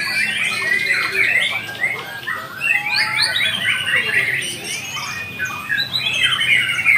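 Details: White-rumped shama at a singing contest, delivering a rapid, varied song of quick whistled and chirped phrases that tumble on without pause. Other birds and crowd noise are faintly audible in the background.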